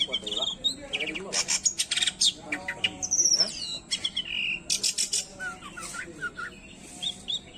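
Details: Long-tailed shrike song, unedited, used to excite other shrikes: a rapid varied medley of high whistles, buzzy bursts and sharp chirps, repeated in short phrases, with fainter lower twittering behind.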